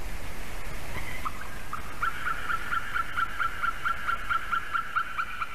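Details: Adult female white-tailed eagle calling near a nest at Durbe, Latvia, on a November 2020 morning at 8:16, picked up by a nest camera: a fast, steady run of yelping notes, about two per second, over constant wind-like hiss.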